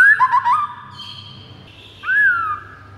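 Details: White-rumped shama master song for luring rival shamas: quick wavering whistled notes, a soft held high tone, then one loud arched whistle that rises and falls.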